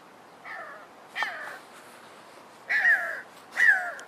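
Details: A pair of Jackal buzzards (Buteo rufofuscus) call as they spiral higher on a thermal until out of sight: four harsh, nasal, mewing cries, each about half a second long and slightly falling, spaced irregularly over a quiet background.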